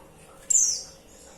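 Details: Female white-eye calling to the male: one loud, thin, very high note sliding downward, lasting about a third of a second, with no other sounds around it.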